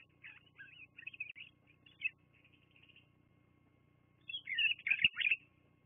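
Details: High-pitched chirps and trills from bald eagles at their Fraser Point nest, live nest camera, 24 September 2022, 12:14; scattered squeaky notes trail off, then a louder, dense flurry of chatter closes the recording.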